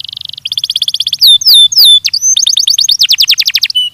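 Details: Belgian canary training song opening with a buzzy trill and a rapid pulsed series, then two long swooping whistles, followed by repeated upswept notes.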